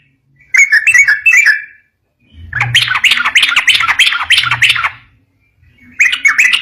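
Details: Yellow-vented bulbul song meant to draw replies from other bulbuls: a few liquid whistled phrases, then a dense, fast burst of overlapping chattering notes over a low hum, a pause, and more whistled phrases.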